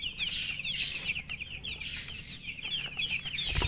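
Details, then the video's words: Newborn chicks chirping loudly as a crowded, unbroken chorus of high peeps, bright and overlapping, with broadband noise at the close. "Tot Murgi chicks chirping sounds Just Born Baby Gallina FRACAS Chicks Piar Loudly Sound"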